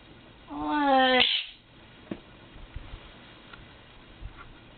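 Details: A pet Quaker parrot calling to wake its owner around 8 am gives one loud, nasal squawk lasting under a second, rising then holding steady. Faint clicks follow in an otherwise quiet room.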